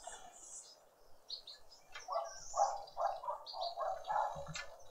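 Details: Green woodhoopoe family group feeding at breakfast on a noisy spring Sunday morning in a suburban garden in Pretoria, South Africa; a rapid series of harsh cackling notes builds from the second second onward, with scattered higher chirps above.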